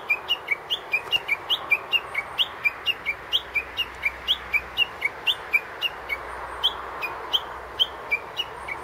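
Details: A Japanese bush warbler in a tree near a cemetery in Japan gives a long, even run of short, sharp chirps, about three each second, bright and high, over a soft steady hiss.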